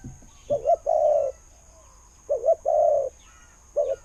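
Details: Spotted dove giving the prized khu-ang style of cooing, a good-voiced bird for decoy use: low, hollow two-part coos, a short doubled note then a long mellow one, repeated roughly every two seconds with a faint high hiss.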